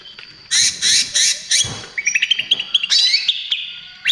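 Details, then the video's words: Greater green leafbird in trotol style, used as lure and therapy for other birds: four harsh, scratchy bursts, then a string of short clipped chirps and a loud buzzy chattering phrase. "SUARA CUCAK IJO TROTOL GACOR"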